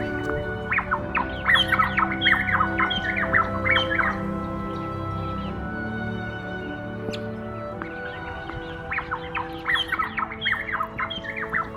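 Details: A Varied Honeyeater sings two lively bursts of quick, loud whistled and chattering notes, several per second, over a steady background of music.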